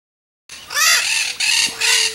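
Red-shouldered macaw giving three harsh, raspy screeches in quick succession, each under half a second, loud and grating with no other sounds.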